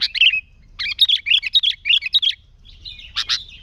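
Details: Sooty-headed bulbul singing briskly, used as a lure: quick bubbly, slurred whistled phrases in a tight cluster, a short gap, then a couple of sharp chips.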